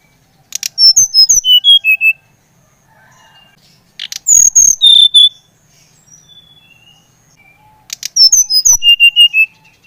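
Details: Brown-chested jungle flycatcher, SRDC Bali type, in full song to prompt another bird to sing openly: three bursts of quick whistled notes stepping down in pitch, separated by quiet gaps of about two seconds, with sharp clicking sounds.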